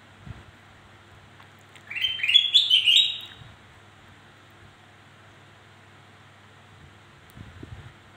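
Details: Black-crested bulbul song played to lure other slow-singing birds into calling: one short, bright, bubbling warbled phrase of rising notes, with a steady low electrical hum and a few dull knocks.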